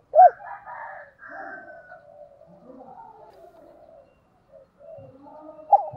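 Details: Spotted dove kept as a decoy bird, cooing and calling: soft, low, hollow coos drawn out in a murmuring series, with a sharper, louder note at the start and again near the end.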